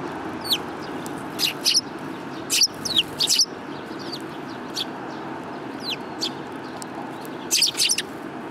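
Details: Urban sparrows arriving for food on 30 November 2015: scattered sharp chirps and short noisy bursts from several birds, irregularly spaced, over a steady low background rumble.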